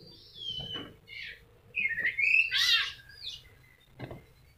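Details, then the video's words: White-rumped shama during moult, a kept model bird just starting to grow new feathers yet still singing: a mix of whistled slurs and dense chattering phrases with quiet gaps, over a low background hum. "MURAI MABUNG TETEP GACOR"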